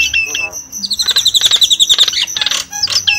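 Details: Javan myna calls used as a lure: a fast run of high, sweet chirps repeated several times a second, mixed with scratchy chatter and a few lower squeaky notes.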